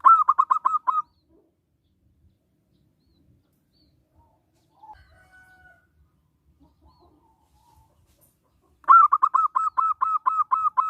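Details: Local zebra dove singing to draw other zebra doves into song: two loud bursts of rapid, staccato cooing notes, about ten each, separated by a long near-silent pause.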